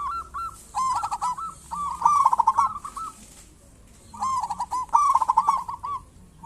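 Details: Zebra dove, local strain, calling as a lure to get other zebra doves singing. Two bursts of mid-pitched cooing come about three seconds apart, each made of quick clipped notes and a final held coo.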